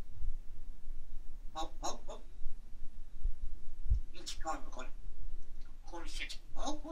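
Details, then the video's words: A grey parrot talks, saying "hello, good morning": three short bursts of harmonic, speech-like mimicked words, each about half a second long and spaced a couple of seconds apart, over a low indoor rumble. "Says Hello, Good Morning"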